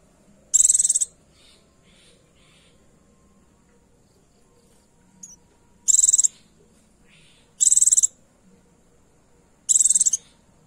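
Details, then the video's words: A female Oriental white-eye calls to draw in a male, giving four short, high, rapid chattering bursts spaced a few seconds apart, with faint softer twitters between them. "Pleci betina memanggil jantan memancing bunyi pleci jantan"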